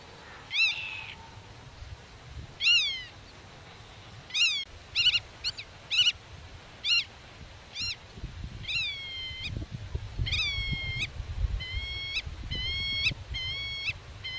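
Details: Black-tailed godwit guarding its territory against intruders and calling to chicks in the grass: a long excited series of nasal slurred calls, speeding into rapid repeated notes toward the end, with wind noise.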